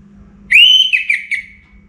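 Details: Orange-headed thrush, singing keenly before morning in North Bali: one strong whistled phrase sweeps up, holds, then wavers through several quick dipping notes before trailing off, over faint low hum.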